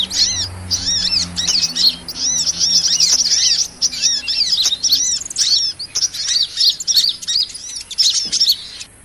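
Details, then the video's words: Sunbird ('kolibri') call played to lure small birds for trapping: long runs of thin, high, rapidly repeated chirps and squeaky twitters, dense and agitated, with only brief breaks. "SUARA PIKAT MP3 BURUNG KOLIBRI"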